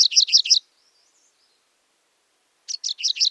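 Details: Grey-breasted (Franklin's) Prinia, found all over Sri Lanka except the highlands, in scrub forest, undergrowth, forest edges and clearings, giving quick bursts of high, buzzy chirps, about four notes in half a second, then a pause and a second burst; its call differs from the Rufous-fronted Prinia's.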